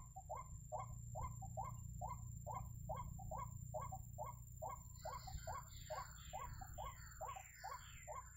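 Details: Ruak-ruak or white-breasted waterhen calling in a trapping setting. Steady, evenly spaced croaking notes come a little faster than two per second. Higher, scratchy calls join in over the last few seconds above constant low hum.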